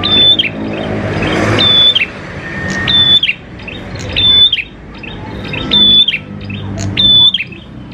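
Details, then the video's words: Lure recording of a lively prenjak klawu prinia: bright, level whistled notes with sharp clicks, delivered in short repeated bursts roughly every one and a half seconds, with a low rumbling background between phrases. "PANCINGAN PRENJAK KLAWU GACOR, NGALUN BIKIN PRENJAK CEPAT BUNYI"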